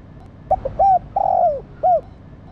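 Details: Female spotted dove stimulating the male with soft coos: short notes, then a drawn-out coo that falls at the end, and one final short arched coo, with low background rumble.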